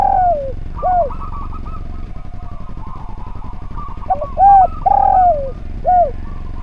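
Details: Spotted dove, a lively singer recorded to train other birds. A drawn-out descending coo opens the stretch. After a pause filled with buzzy chatter and low hum, a quick group of arched coos follows, one long and sliding.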